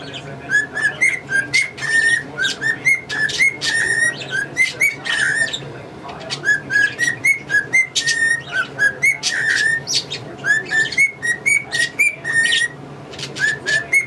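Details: Whistled melody from a male pet cockatiel performing tunes including Yankee Doodle Dandy and the Mexican Hat Dance near two English budgies: a long run of clear, pure notes in rhythmic phrases, with sharp chirps and chatter throughout.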